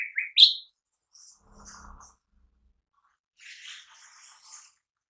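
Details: A leafbird ("cucak ijo mini") lure song gives a loud, sharp rising-and-falling whistled burst, then softer, high scratchy chattering phrases after a pause.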